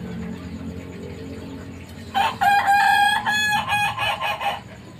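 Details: Kukuak Balenggek rooster, a Minangkabau breed, learning to crow: after two quiet seconds a short crow starts, a bright tonal held note broken into several stepped, pulsing segments that fade out over about two and a half seconds.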